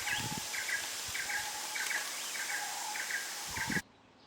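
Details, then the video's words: Forest birdsong at Phu Sing, Sisaket, Thailand: clipped double chirps repeated in quick series over a sustained lower whistled tone, with a hissing insect-like background, ending abruptly. "Singing Bird - Forest Birdsong"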